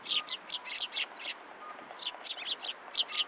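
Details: Sparrows gathering at a post at a Tenmangu shrine, 20 February 2023, waiting to be fed; a quick run of sharp high chirps, about four per second, some overlapping from several birds, over a quiet background.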